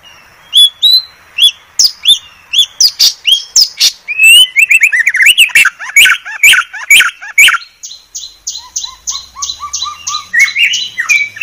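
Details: Murai batu (white-rumped shama) masteran, said to be the clearest: rapid sharp chips and whistled slurs in quick succession, ending in a steady buzzy repeated note train with low warbles.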